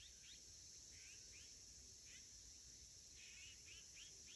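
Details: Azure-winged magpies flying, 27 August 2021. Scattered sharp upslurred chirps and a few short trilled notes come at uneven intervals, some doubled, against a constant shrill hiss of insects.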